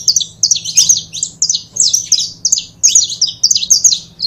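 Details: Pair of saffron finches giving loud, rich chirps and buzzy slurred notes in quick clustered phrases of a few notes each, over a faint low hum.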